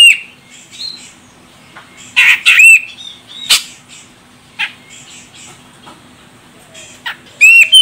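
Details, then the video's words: Female grey-cheeked bulbul of the Medan, Sumatra type, calling to provoke a male to sing: irregular loud squawks and sharp, rising whistled notes scattered among softer chirps. "Cucak Jenggot Medan Betina Ini Bikin CJM Jantan langsung Koar Koar"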